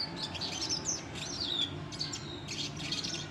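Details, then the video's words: Red siskin song in the style called klasik ngeriwik kasar: high thin chirps and short downslurred whistles in quick irregular bursts, with a faint low hum underneath. "Red Siskin Klasik Ngeriwik Kasar"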